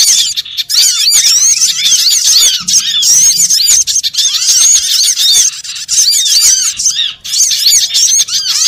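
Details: Lure sound for trapping small birds, a crowded chorus of shrill, squeaky notes, each curving up then down, repeated rapidly by many birds at once.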